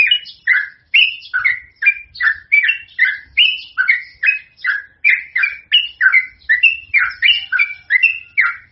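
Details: Lively yellow-vented bulbul (trucukan) singing long rapid runs as a lure for other birds. Fast, steady chain of rich whistled notes, each dropping in pitch, rolling on without a break.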